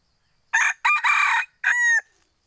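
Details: Second-generation (F2) hybrid junglefowl crowing: a short harsh burst, a gap, then a longer rough phrase, a brief pause and a drawn-out tonal final note with clear harmonics. Background quiet.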